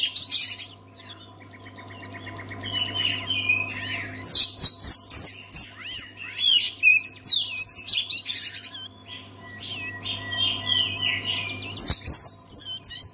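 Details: Oriental magpie-robin singing to spur other magpie-robins into song: long runs of loud, shrill, fast-changing whistles, trills and harsh chattered notes in irregular bursts, with a quieter pause mid-clip, over a constant low hum.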